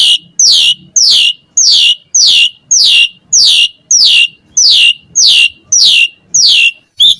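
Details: Asian pied starling in full, persistent song. A shrill downslurred whistle repeats steadily about twice a second for the whole stretch, ending with a short chirp.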